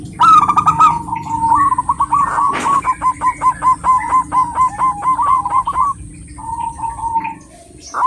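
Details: Local zebra dove, female, calling for a male: a loud opening note, then a long chain of quick, clipped coos that speeds and slows irregularly, with a sharp click partway through and faint cooing from another dove near the end.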